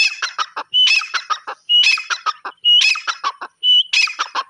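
A grey francolin gives loud, harsh, rhythmic call phrases, repeated roughly once a second.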